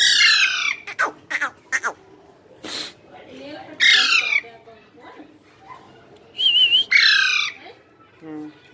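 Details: Young parrot chick giving natural calls: harsh, raspy squawks in uneven bursts with sharp clicking notes between them, and a short wavering whistle near the end.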